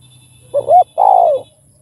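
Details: Spotted dove coo used to stimulate other doves: one phrase of a brief double hoot followed by a longer, smooth coo that slowly falls in pitch.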